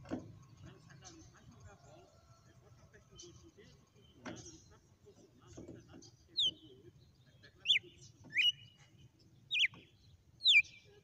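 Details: Red-cowled cardinal giving a song sequence: after several quiet seconds with faint low rumbling, five loud, sharp whistled notes sweep down and then up, spaced about a second apart.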